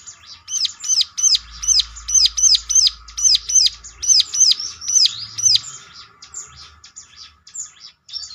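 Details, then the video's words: A ciblek (bar-winged prinia) lure song to provoke other ciblek into answering: a long series of bright, high chirped notes about three per second, steady for several seconds, then fading into softer, sparser chirps. "ciblek lain ngecLak ikut nyaut || mesti Nyautnya."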